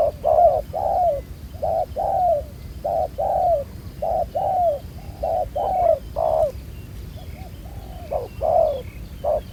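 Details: Spotted dove with a black-spotted collar, caught in a trap using a ground decoy, giving a steady series of low, mellow coos in twos and threes with short gaps, over a light outdoor background hiss.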